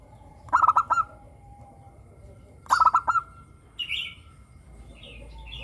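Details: Local zebra dove with a crystal voice, singing as a lure for captive doves: two quick clusters of staccato cooing notes, then a brief higher chirp from another bird.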